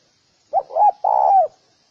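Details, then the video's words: Single spotted dove phrase meant to lure males and females into fighting: a short hoot, a rising-falling coo, then one long sustained hoarse coo that falls away at the end. "Tiếng chim cu gáy kích bổi kích trống mái gáy gù đánh nhau"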